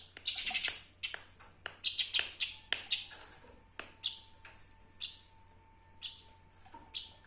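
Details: Eurasian tree sparrow, recorded for training songbirds: clusters of sharp chirps thin out into single, scattered high notes. A faint steady tone hums underneath.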